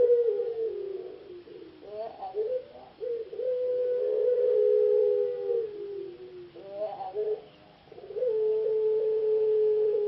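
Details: Competition puter pelung ringneck dove, kept in a breeder's cage in Indonesia and a semi-finalist at a Jogjakarta singing contest. It utters long, low, sustained coos, each opened by a short warbling flourish and held for several seconds.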